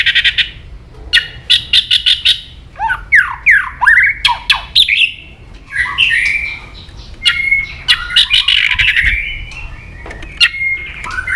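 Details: White-rumped shama, excited and aggressive, delivering varied song: rapid rattles, down-sweeping whistled slurs, harsh squawks and a sustained high whistle, densely packed throughout.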